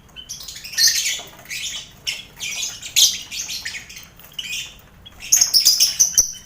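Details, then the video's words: Competition lovebirds in a crowded colony cage housed with finches and quail. Scratchy, high chattering squawks rise and fade in uneven waves, with a few thin whistled notes near the end. "Sound Koloni Lovebird"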